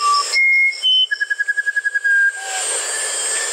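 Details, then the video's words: Musician wren singing: clear, pure whistled notes, each held briefly at a different pitch. A quick trill of repeated notes follows, then a lower whistle, over a constant high insect hiss. "SONIDOS del CUCARACHERO MUSICAL"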